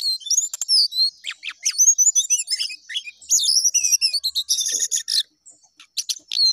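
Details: Jongkangan in full, lively song that climbs and drops. Rapid high twittering comes in dense bursts with sliding whistled notes, then quick separate chips after a short pause near the end.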